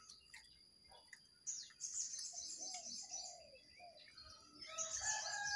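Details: Wild jongkangan and caged jongkangan in a singing contest: a few scattered chirps, then bursts of rapid high twittering with lower slurred whistles, growing louder toward the end.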